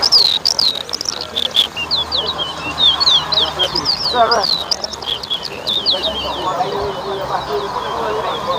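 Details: Bird whistling competition at Better Hope, Guyana, with a towa towa pouring out a long series of sharp, high, hooked whistles in quick succession, accompanied by people talking and the bustle of the gathering.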